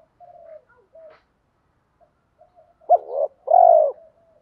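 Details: Spotted dove cooing in the kích bổi lure style: quiet low drawn notes at first, then a brief sharp coo followed by a long, loud, steady coo that fades into soft murmurs. Otherwise quiet.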